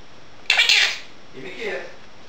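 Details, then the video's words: Pet monk (quaker) parakeet talking while its owner washes dishes: a harsh, raspy, high word-like burst, then a softer, lower two-part phrase a moment later. "Quaker parrot talking"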